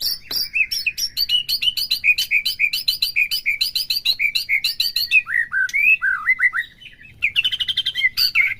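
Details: Song of a white-rumped shama played to excite a captive bird: a steady fast series of repeated high notes, then falling whistled slurs, ending in a harsh rapid buzzy burst.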